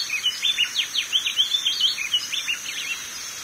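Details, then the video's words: Seedeater known locally as coleiro do norte singing a rapid run of sharp, slurred whistled notes, rising and falling, over a steady high-pitched hiss. "CANTO DO COLEIRO DO NORTE"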